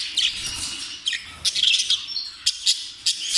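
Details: Jumbo budgerigar chattering in a rapid, scratchy warble of high chirps and squawky notes, bursts coming every fraction of a second with brief pauses throughout.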